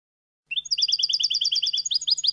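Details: Goldfinch song meant for young birds to copy. A dense, rapid trill of high ringing double notes runs for nearly two seconds and then turns into spaced, rising twitters. A faint low hum is present.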